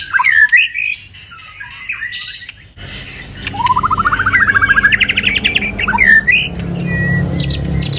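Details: White-rumped shama singing while moulting, giving the 'kéo thuốc Lào' (Lao tobacco pipe) style: scattered sweet whistled notes, then a long, fast, rising series of bubbling repeated notes, closing with a swooping whistle and clicks.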